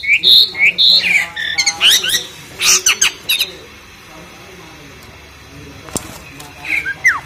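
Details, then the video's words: Jalak suren, the Asian pied starling, keeps up a loud song during its bath: harsh squawks and rising whistles in a quick burst, a few seconds of near quiet, then two more sharp notes. "KICAUANNYA KERAS SAMBIL MANDI || JALAK SUREN"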